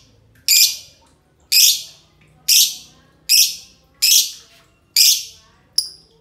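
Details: Pair of green lovebirds letting out loud, grating high squawks at a steady pace of about one per second, each note rough and fading quickly, ending with a thinner, shorter chirp.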